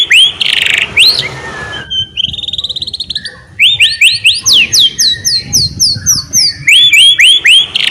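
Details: Prompting song of a white-rumped shama, played to get sluggish shamas singing: a harsh burst, a rapid rattling trill, then a rhythmic series of bright, downward-curving whistles.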